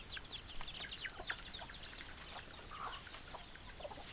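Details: Hens and roosters: a busy flock making rapid overlapping clucks and short chirps, several calls each second, with one louder drawn-out squawk, over a steady background hiss.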